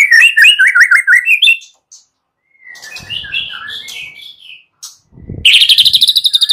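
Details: Morning lure song of a white-rumped shama meant to trigger other shamas: rapid rolling whistled trill, a quieter varied warble, then a loud fast rattling phrase with a brief thump.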